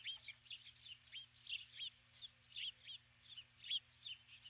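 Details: Female Osprey at her nest at dusk, July 2015, calling for an absent mate after landing with a stick. High, squeaky chirps arrive in loose bursts, several notes clustered together with short gaps between them.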